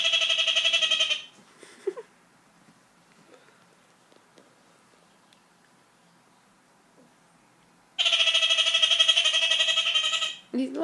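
A kakariki gives two bursts of rapid, harsh, nasal chattering like quick laughter, the first lasting about a second and the second about two and a half seconds.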